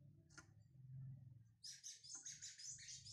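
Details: Kept brown Lined Seedeater being warmed up breaks into a bright, rapid high twitter partway through, over a steady low background hum.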